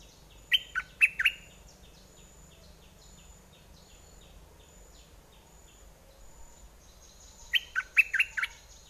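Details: Decoy red-whiskered bulbul, in aggressive or wild mate-calling song style, gives two short bursts of lively slurred whistles several seconds apart, with soft rhythmic high ticking in the background between them.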